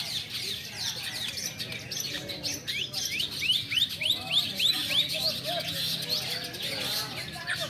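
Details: Long-tailed shrike trained for bird-singing competitions, heard at a practice contest: a fast run of repeated down-slurred whistled notes, about three or four per second, over chattering birds and people talking.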